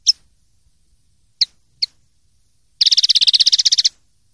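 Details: Common linnet performing clean-style song (pardillo limpio) from a 2023/2024 silvestrismo collection: three sharp high chips spaced apart, then a fast, even trill of about fifteen bright buzzy pulses lasting one second, in a quiet background.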